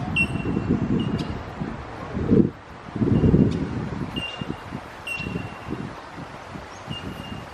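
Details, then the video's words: Bell Miners at the Botanic Gardens, Melbourne, give short, pure, bell-like pings scattered across a few seconds, over steady low wind and distant traffic rumble. "The sound of the Bell bird"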